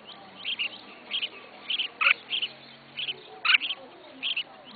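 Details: Caged red-whiskered bulbul, a beginner keeper's first bird, giving bright short double chirps about twice a second, two louder notes dropping lower near the middle and later, over a faint low hum.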